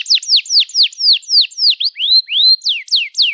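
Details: Canary singing a long, lively song used to prompt young canaries to learn and to get silent canaries singing: a fast series of clear, sharply falling whistled notes, about four per second, with two longer rising sweeps in the middle.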